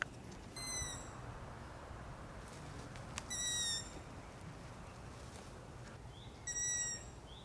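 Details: Young Long-eared owls at night: three piercing, squeaky, slightly rising notes spaced about three seconds apart, each under a second, over a steady hiss with faint clicks.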